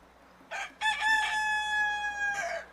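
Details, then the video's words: A rooster gives a short harsh opening note, then a loud, drawn-out crow held steady on one pitch before breaking off at the end. "Rooster Sounds"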